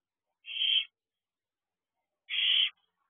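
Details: A barn owl owlet in a nest box, recorded on 16 June 2022 at 8:17 pm, gives two harsh, rasping hisses, each about half a second long, roughly two seconds apart, in otherwise silent surroundings.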